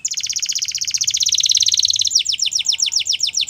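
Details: Morning canary song: a long, fast, rolling trill of high notes that gives way to clear descending syllables repeated about five times a second.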